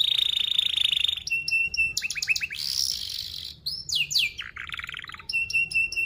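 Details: Canary lure song for young canaries learning sounds, fast and tight with chirps and rolls: a long buzzy trill opens, followed by rapid repeated chips, steep descending sweeps and another thin steady trill.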